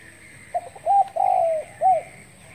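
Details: A close spotted dove gives its morning call, a few faint stuttering notes leading into a short coo, a long falling coo with a slightly rough start, then a last rounded coo.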